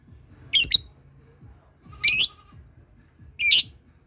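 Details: Lovebird learning to ngekek, prompting other birds to call: three loud, grating squawks, the first doubled, arriving about every one and a half seconds against a quiet, low rumble.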